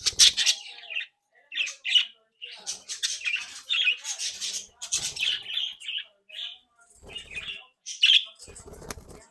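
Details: Playful, active pet budgerigar flock from a home breeding group, trading scratchy warbles and squawks in a dense run of chatter, with a few low thumps and knocks from the cage.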